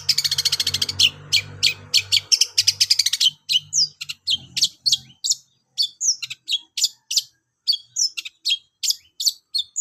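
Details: Training song of a long-tailed shrike. It opens with a rapid, loud chattering series over a low hum, then settles into sharp, high chirps repeated roughly twice a second.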